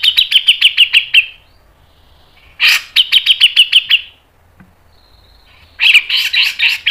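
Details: Grey-cheeked bulbul (cucak jenggot) lure song, mbeset ngepik style: quick series of sharp chattering notes in dense bursts, repeated after brief silences, with a third burst starting at the end.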